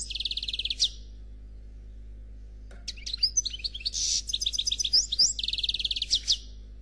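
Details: European goldfinch, Noir Khalwi style, singing without faults: a fast even trill, about two seconds of near silence, then dense twittering, buzzes and another rapid trill.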